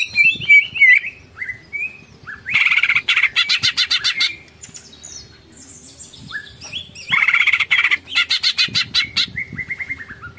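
A greater green leafbird pours out a long, varied song: clear whistled slurs alternating with dense, buzzy chattering bursts, with little pause between phrases.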